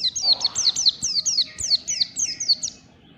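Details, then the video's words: Morning ngalas-style white-eye song, a fast continuous chain of high, sharply falling whistled notes, about a dozen in three seconds, with a faint low rustle at the start. "PLECI NGALAS DI PAGI HARI"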